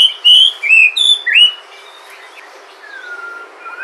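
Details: White-rumped shama from Sumatra, sung to draw other shamas into song: four loud, clear whistled notes with sweeping slurs in the first second and a half, then quiet with a faint drawn-out whistle.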